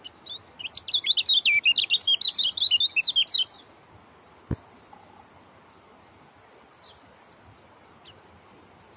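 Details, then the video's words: An Oriental white-eye pours out a fast, dense, high twittering song meant to unsettle other white-eyes, for about three seconds, then falls quiet apart from a single sharp knock. "joss rapat.. bikin kecial kuning lain ikut ketar ketir"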